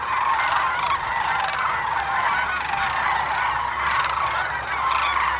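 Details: Thousands of sandhill cranes feeding in a barley field at Monte Vista Wildlife Refuge, a dense, unbroken chorus of overlapping rolling, rattling calls from the whole flock, with brief louder bursts standing out.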